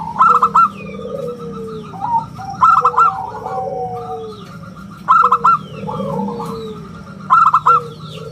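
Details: Local zebra dove, a frequent singer with a round, crystal-clear voice, used as a lure and song model. Clustered staccato coos repeat about every two and a half seconds, each followed by lower drawn-out coos. Faint chirps from other birds are heard.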